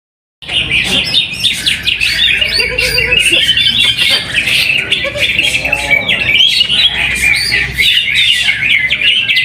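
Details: Caged greater green leafbird performing at a weekly practice singing contest in Trowulan, Mojokerto, where it placed first. Its rapid chattering, twittering song runs throughout with sharp whistled notes. Other birds overlap and men's voices murmur underneath.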